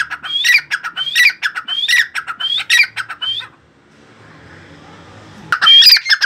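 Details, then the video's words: Tame partridge calling freely, a loud series of harsh squawking notes with a rising whistled stroke, repeated about once per second for three and a half seconds, then a pause with faint hiss and a final loud burst. "partridge calling freely"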